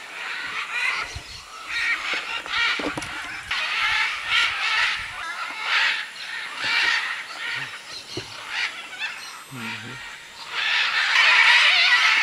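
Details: Macaws massed at a jungle clay lick in Peru's Manu area, 2008, alongside other birds; steady chorus of rough rasping calls, about two or three a second, swelling louder near the end, with faint low sounds.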